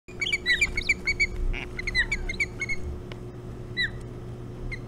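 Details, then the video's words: Ospreys at Hog Island, 4 July 2017: rapid runs of shrill, whistled chirps, several per second, in bursts broken by short pauses, over a steady low hum. "Toot of the Day! Hog Island Ospreys"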